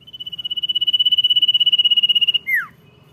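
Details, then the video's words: Common iora song: a long, high, rapidly pulsing whistle, about two seconds of swelling trill, then a sharp downward-swooping slur to finish. "CIPOW GACOR DOR NYIUL MANTUL"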